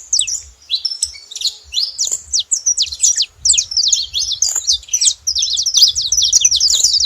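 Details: Saffron finch calling with scattered high chirps at first, building into a fast, continuous chatter of sharp slurred notes.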